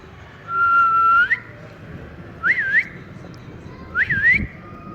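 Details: Ring-necked parakeet kept as a talking pet, out in cool weather, whistles a long flat note ending in an upward sweep, followed by two short wavy up-and-down whistles about one and a half seconds apart.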